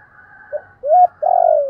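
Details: Luring call of a spotted dove: a faint short note, a rising coo that levels off, then a long, slightly wavering coo gliding downward, mellow and low-pitched.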